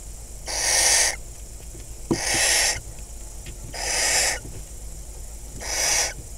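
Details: Wild barn owls at a nest box in crop fields of Kibbutz Snir, Hula Valley, northern Israel, 26 May 2020, with five surviving chicks, as the male delivers a second rodent and mates with the female; four harsh, hissing screeches, each under a second, about every 1.7 seconds.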